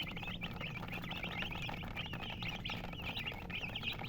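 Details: A flock of colored chickens chirps nonstop, thin piping notes rising and dipping rapidly and overlapping, with a faint low drone in the background.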